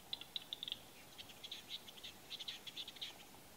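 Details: Capercaillie at a lek in Salla, Lapland, Finland, in 2021: a run of dry, sharp clicks, spaced at first, then quickening into a scraping, rattling series, faint and distant with a quiet background.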